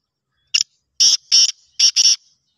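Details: Black francolin (kala teetar, Sindhi teetar) calling: harsh, buzzy, grating bursts, first a short single note, then two closely paired bursts, a pause, and another pair, all against a silent background.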